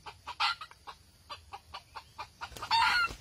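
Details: Red junglefowl at a trapping site with a decoy bird, 6 March 2020, giving a quick series of short, hoarse clucks, several per second, ending in a louder, harsher squawking burst.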